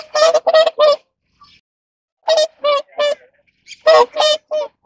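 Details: Whooper swans during mating give loud bugle-like honks, nasal and harmonic-rich, in bursts of three or four notes with short pauses between, several birds overlapping.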